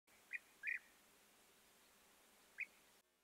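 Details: European bee-eater at its nest burrows: three short rolling, liquid notes near the same pitch, two close together then one more after a pause of nearly two seconds, over a quiet background.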